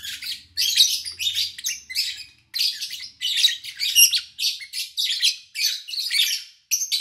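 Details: Lovebirds recorded in August 2019 while their owner was away: nearly continuous, loud, scratchy high chirping in rapid bursts, with a faint low hum early on.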